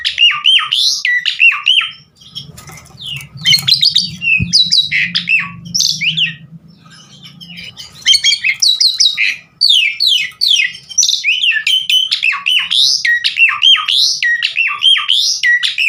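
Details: Javan pied starling in full song, recorded as a lure for training other starlings; long bursts of loud chattering and slurred whistles broken by short pauses, with a low hum beneath.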